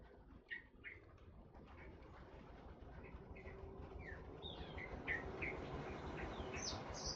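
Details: Kepodang hutan, a forest oriole: spaced, short whistled and slurred notes that come faster and higher over several seconds, against a steady background hiss.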